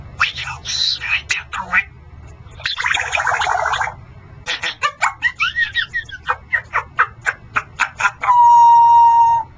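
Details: Pet male Congo African grey parrot indoors produces noisy squawk-like bursts, a buzzy harmonic sound, a run of regular clicks, then a steady, pure electronic-sounding beep held for over a second.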